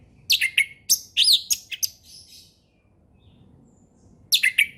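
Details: Orange-headed thrush in a calm ngeplong song for young birds to learn from: a dense string of varied high whistles and twitters lasting about two seconds, a pause with faint background hiss, then a short phrase resuming.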